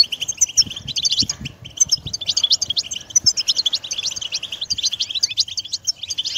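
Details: European goldfinch song played to stimulate a pet bird to sing and become more active: a fast, continuous twittering of rapid high chirps and trills in two bands, liquid notes tumbling almost without pause, with faint low knocks underneath.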